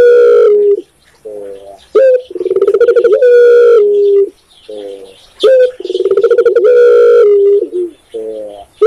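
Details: Indonesian spotted dove (tekukur) giving repeated deep cooing phrases: short clipped coos, then rolling pulsed notes that flow into long drawn-out hoots, with brief silent gaps between phrases.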